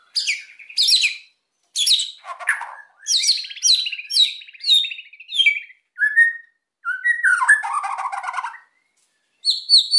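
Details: White-rumped shama singing emotionally to stir silent birds into song: rapid high chirped notes in quick series, a rasping burst, then varied whistles and a scratchy rattling phrase.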